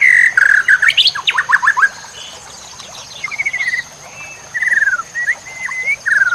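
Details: White-rumped shama song used as training material for songbirds, loaded with fill-in phrases: rapid bursts of clear whistled notes, upslurs and descending slurred whistles in short clusters separated by pauses, over a faint steady high electronic tone.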